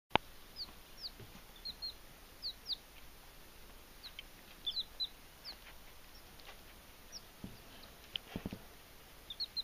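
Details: Belgian d'Anvers chicks on their first night home, checking out a new dish waterer: thin, high, downward-slurred peeps scattered through, some in quick pairs, over a soft hiss with occasional sharp taps and clicks.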